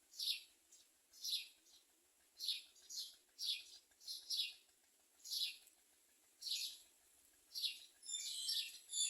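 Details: Common myna bringing nestlings as food to its young; short, sharp downward chirps repeated irregularly about once a second, with a steady high hiss behind them.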